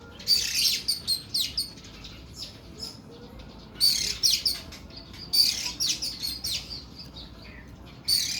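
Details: Oriental magpie-robin (kacer Kuku Bima) singing long and harsh, in three dense bouts of rasping, chattering phrases laced with bright high whistles, each bout lasting a couple of seconds with brief pauses between.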